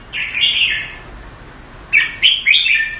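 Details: Red-whiskered bulbul, a caged bird kept Thai style in Singapore, gives one slurred whistled phrase, then, after a quiet gap, a quick pair of bright chirpy notes.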